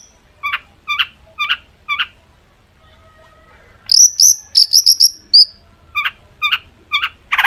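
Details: Long-tailed shrike used as a lure for other shrikes: spaced short double-toned chips, a pause, then a burst of high thin whistled notes, more chips and a final harsh rasp.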